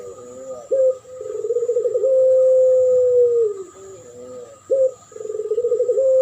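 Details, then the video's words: Spotted dove duet lure recording used to draw in doves: trembling low coos that settle into long flat tones falling at their close, separated by short abrupt notes, repeated twice. "Duet masteran pancingan burung puter pelung.model suara juara dan Derkuku"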